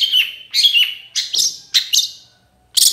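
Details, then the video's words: Long-tailed shrike, sung to prompt rival shrikes: high, harsh, slurred notes in short pairs, a grating burst after a brief silence. "PANCINGAN CENDET SUSAH BUNYI LANGSUNG NYAUT DAN IKUT GACOR DENGAR SUARA CENDET INI"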